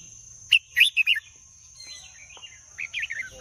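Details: Red-whiskered bulbul sings two phrases of sweet, slurred, chirpy notes separated by a short pause, the second softer and wavering, over a continuous high-pitched hum.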